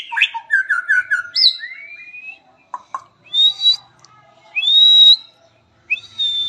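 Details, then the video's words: Captive white-rumped shama song used for tutoring other shamas, a long rolling song with sharp shots: quick repeated falling whistles, a rising slur, then clear pure whistled phrases, loud and clean with no background noise. "SUARA BURUNG MURAI ISIAN MEWAH // NGEROL PANJANG DAN NEMBAK NEMBAK"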